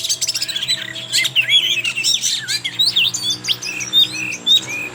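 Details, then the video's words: Oriental magpie-robin song played as a lure for young birds: crowded, scratchy twittering and squeaky notes that open into clearer whistled slurs, with a low electrical hum beneath. "Pancingan suara Kacer trotol BIKIN KACER NGEPLAY"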